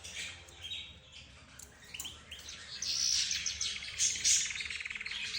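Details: Several kinds of cage birds, including budgerigar, zebra finch and canary, calling at once: mixed chirps at first, then a steady, fast twittering chorus with high whistles and rapid repeated notes.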